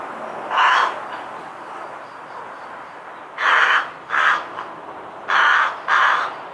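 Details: Rook (Corvus frugilegus) in a garden in Hampshire, UK, 2020, giving its main call: five raw, rough caws, one alone then two pairs about half a second apart, over a faint background hush.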